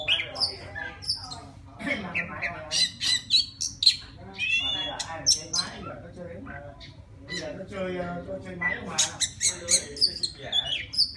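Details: Singing to summon a female, a wild white-rumped shama gives a jumble of grating, squawky notes interspersed with sharp high clicks and short whistles, the rhythm irregular and busy throughout.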